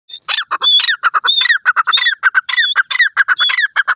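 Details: Francolin, locally called teter or irani teter, recorded at home giving loud, high-pitched calls: a rapid, continuous run of harsh, ringing notes mixed with short upward-slurred whistles, packed tightly together for four seconds with no other sounds.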